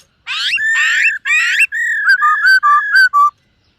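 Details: Black-throated laughingthrush singing in the morning while training its voice: a burst of rich, rasping, warbled phrases, then a run of short clear whistles dropping in pitch.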